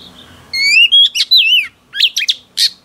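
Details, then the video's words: Female oriental magpie-robin, freshly caught from the wild, singing to stimulate male birds. A rising whistle, a steady note and a wavering slurred phrase are followed by rapid chips and one harsh final note. "Choè than mái bổi lên giọng hót kích trống cực chất"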